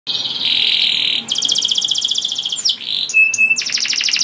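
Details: Singing canary, described as a bold songster that stirs other canaries into breeding mood, delivering a varied high song: sustained buzzy trills, rapid ticking rattles and brief whistled notes, switching phrases every second or so.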